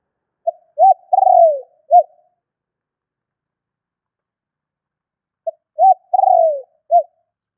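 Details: Spotted dove calling to lure birds and excite a decoy, two identical phrases about five seconds apart, each a faint lead note, an arched coo, a long descending rolling coo and a closing short coo, in a silent background.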